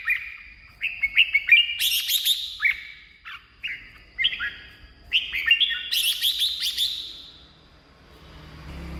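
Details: Red-whiskered bulbul, its song used as decoy audio or to make caged birds lively: quick bursts of rising and falling whistled notes, about three per second, climaxing in rich warbled flourishes, then fading into quiet hum.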